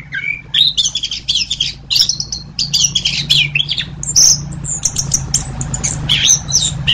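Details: Orange-headed thrush song: quick runs of high, chattering and whistled notes with short rising phrases, delivered almost without pause, over a steady low hum throughout.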